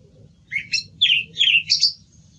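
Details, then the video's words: Song thrush singing: a quick string of five bright, chirpy phrases packed into about a second and a half, each slurring between middle and high pitch, over a low steady hum. "Sonido del Zorzal Comun - Sturz cantator - TURDUS PHILOMELOS"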